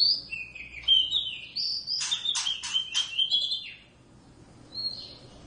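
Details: Caged pair of wild-caught Oriental magpie-robins kept at home, singing all day; whistled, sliding notes and rich warbled phrases with a burst of buzzy notes in the middle, then a fading high whistle.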